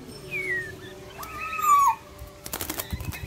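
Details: Black-naped oriole (kepodang emas) in breeding condition, giving clear fluty whistles: a short downward slur, then a longer level whistle ending in a falling slide, followed by a burst of clattering wing flutters.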